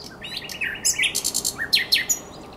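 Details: Common nightingale singing at night on the Żerański Canal in April 2022: a dense, varied phrase of chirps, buzzy notes and quick rising slurs, ending with a few loud down-swept notes.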